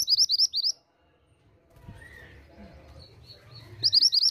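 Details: Female pied bushchat, calling persistently to elicit replies from males, gives quick high twittering bursts of wavy notes at both start and end, with a soft murmur and faint background rumble in the gap.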